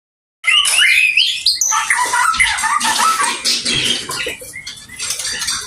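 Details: Oriental magpie-robin singing a fast, varied run of chirps, squawky notes and short whistles, mostly high-pitched, with a dense, busy texture throughout after a brief silent start.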